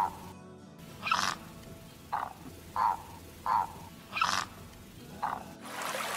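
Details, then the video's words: A heron gives short, harsh croaking notes, about seven in six seconds at uneven intervals, over a faint background hiss. "Garça - Canto"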